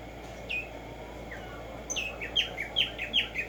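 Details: Morning song of a black-striped sparrow, locally called Tumba Yegua, in the wild: a few scattered whistled notes, then a fast series of sharp downward-sliding chips that quickens toward the end, with constant low hiss behind.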